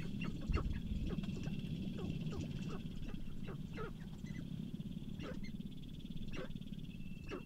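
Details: Displaying male sharp-tailed grouse at a spring lek, Namekagon Barrens, Wisconsin: heavy low drumming dominates, broken by scattered sharp clicks and brief cackling notes.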